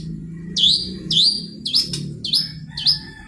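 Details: Long-tailed shrike song used as a lure to prompt other shrikes to sing: five sharp, upslurred whistled notes, each with a brief buzzy start, repeated roughly every 0.6 seconds over a steady low hum.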